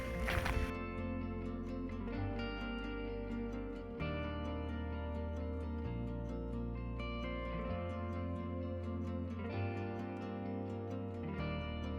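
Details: Continuous instrumental music with steady bass notes and sustained tones throughout, no animal calls audible.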